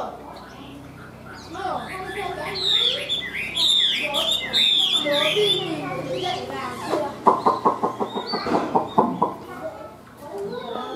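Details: Chinese hwamei kept caged and singing an ornamented warble: high twisting whistles early on, then a rapid rhythmic series of sharp pulsed notes lower down, fading to quiet, over a faint low hum.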